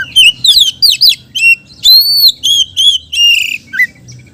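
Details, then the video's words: Caged Oriental magpie-robin singing a lure song meant to draw other magpie-robins: loud, fast whistled phrases, rising and falling notes and clear slurred whistles following one another briskly. "BURUNG KACER GACOR‼️ isian beset || cocok untuk pancingan kacer lain‼️"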